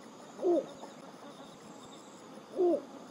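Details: Little Bittern, the smallest heron and a breeding bird in Germany, giving its monotonous croaking song, heard by day and night: two short, deep, low-pitched hoots about two seconds apart over faint background hiss.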